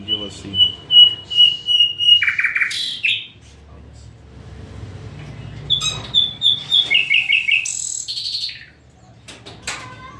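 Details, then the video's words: Nightingale song opening with a long series of evenly repeated, clear whistled notes, then a sharp buzzy flourish, a pause, and further whistles, trills and high sweeping notes; quiet background rumble. "nightengale birds sounds طاٸر العندلیب"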